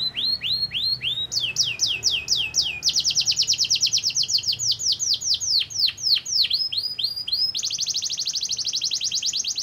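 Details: Canary performing a lure song to make other canaries sing: series of downward-curving whistled notes repeated in groups, each group faster and higher, ending in a dense, fast rattling trill.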